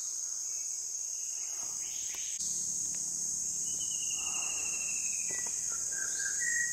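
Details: Song of an Andaman shama from South Andaman: a long, drawn-out high whistle that slowly falls, then a few shorter mid-pitched whistled notes, set against a continuous high insect drone.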